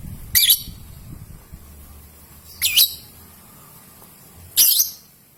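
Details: Young lovebird calls played as a lure to draw out long ngekek and ngetik; three piercing, high squeaky chirps spaced about two seconds apart over faint low rumble.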